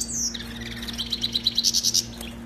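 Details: A European goldfinch sings a tutor song meant to teach young goldfinches to sing. A high downslurred note leads into a fast, bright, tinkling trill of about a dozen notes that climbs higher, over a faint low hum.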